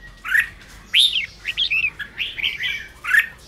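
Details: Red-whiskered bulbul song for rousing timid, newly caught birds; a few separate clear slurred whistles, arched and rising-falling, spaced roughly half a second apart.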